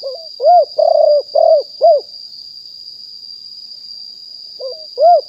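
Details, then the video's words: Wild spotted dove recorded live in 2021 as a lure sound: a quick cooing phrase of a hooked opener and four round coos, a long quiet gap, then the next phrase starting, with a faint high whine. "นกเขาใหญ่ป่าเต็ม100% บันทึกสดเสียงต่อนก2564"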